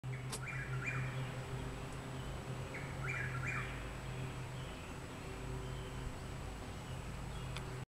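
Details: A Chuck-will's-widow sings in the daytime at a home in Parkersburg, West Virginia, on 6 May 2019: its rhythmic whistled 'chuck-will's-wi-dow' phrase twice, about two and a half seconds apart, over a steady low mechanical hum.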